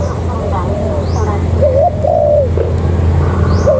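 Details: Spotted dove used as a ground decoy for luring, An Phú, around 6:15 in the late afternoon: soft, rounded, wavering coos, low over a steady rumble of background noise and faint voices.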